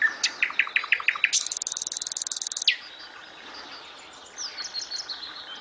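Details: Nightingale song with a row of clear repeated notes, then a very fast, buzzy, high rattle lasting over a second, then quieter high chirps.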